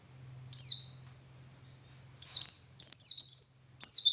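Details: White-eye singing ngalas style, used as a master recording for other birds: a single sharp note, soft thin trills and a faint low hum, then dense bursts of shrill, descending twitters.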